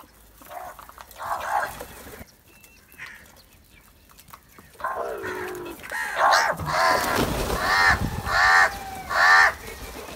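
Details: Loud crow calls: after a quiet start, a run of harsh, ringing caws comes in quick succession, about one each second, growing stronger toward the end.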